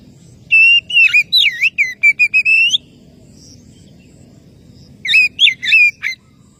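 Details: Oriental magpie-robin calling to a rival, a fast chattering run of whistled and twisting notes for about two seconds, a quiet gap, then another short burst of slurred whistles.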